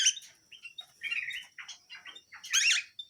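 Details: Canary singing vigorously in a dense, varied run of rapid warbled notes and short trills that builds to a loud, rich burst before trailing off.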